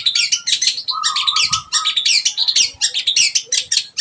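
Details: Long-tailed shrike singing a dense, rapid medley of scratchy chirps and harsh chattering notes, nearly continuous, with a steady lower tone held briefly in the middle.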